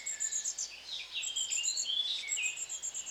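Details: Long-tailed tits calling: thin, very high repeated see-see notes in quick runs, mixed with lower twittering chirps and short slurred whistles from several birds at once.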